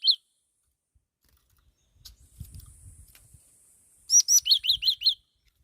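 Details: Black-throated laughingthrush: a single high chirp, then low rustling and handling noise for two seconds, followed by a fast burst of about seven high arched notes.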